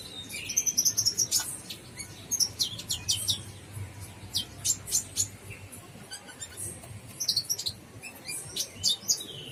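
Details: Brown-throated sunbird, local name kolibri ninja, in lively gacor full isian song. Dense volleys of shrill chirps and twittering ticks, some with short whistled glides, run almost nonstop with only brief lulls.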